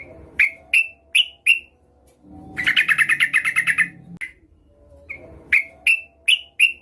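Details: Female Yellow-vented Bulbul calling the male, played as a lure to set off a rival; four spaced bright chirps, a dense rapid chatter of about a dozen notes, then four more spaced chirps.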